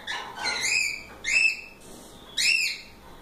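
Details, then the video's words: Loose cockatiels at play: three rich, arching whistled chirps with stacked harmonics, each about a quarter second long, separated by short pauses. "Calopsitas Live Canto dos pássaros"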